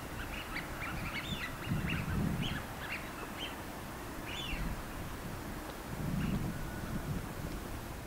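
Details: Small party of Eurasian wigeon on the Seno River, Hiroshima, 17 March 2018, early spring before migration: males raise closed wingtips and whistle at a female, possibly courtship display or threat. Quick, clear, down-dropping whistles overlap almost continuously over low rumble.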